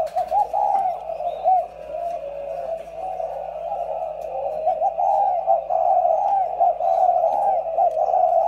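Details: Two caged decoy spotted doves keep up an unbroken stream of low, wavering coos that rise slightly in strength toward the end, against a steady faint hum.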